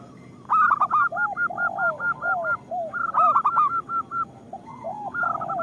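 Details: Local zebra dove song used as a lure for other zebra doves: rapid clipped stuttering notes run into an even string of short repeated hoots, overlapping with soft descending arched coos. The phrase is repeated.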